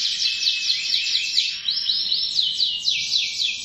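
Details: Canary song heard as a smooth, rolling high trill with slurred glides and a descending step near the end, somewhat blurred but continuous.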